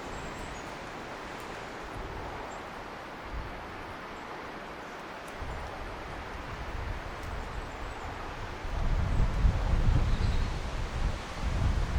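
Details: Steady wind and rustling with low rumbling gusts that grow stronger near the end; no clear animal calls stand out.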